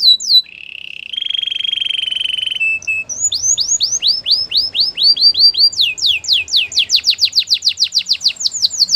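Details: Canary song for training: a few sharp notes, a held buzzing tone, then a long, even sequence of bright downslurred whistles that grows quicker and fuller.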